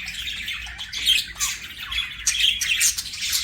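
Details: Pet budgerigar chirping softly, with scattered scratchy high notes and a few sharp squeaks over a faint background hum.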